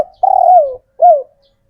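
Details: Male spotted dove calling to lure females and set off other birds; a long wavering coo gliding downward, followed by a shorter falling coo.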